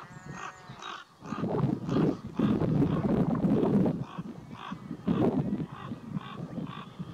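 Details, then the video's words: Common raven parents near their nest squabble noisily with two nesting neighbour crows, a distraction to keep an intruder beyond 150 m. Harsh, croaking calls come in irregular bursts over strong low wind rumble. "Provoked Fight: Distraction by Ravens / Afleidingstaktiek Raven (Corvus Corax)"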